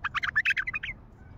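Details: An untrained bulbul with a deep, heavy voice sings a rich, warbling phrase of quick slurred notes, rising and falling over about a second, then fading to a faint low background hum.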